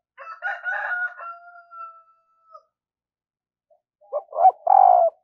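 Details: Spotted dove kept as a decoy for luring wild doves, in daily song training: a loud burst of low, hoarse coos near the end, preceded by a long, drawn-out rooster crow and a silent gap.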